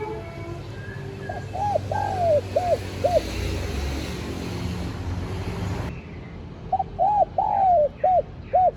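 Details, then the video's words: Spotted dove calling to lure wild doves: two bouts of soft, hooting coos, each a few short notes then a longer drawn-out falling coo. A steady rumbling background noise runs throughout. "TIẾNG CHIM CU GÁY Giọng Hấp Dẫn ( GỌI BỔI + THÚC )"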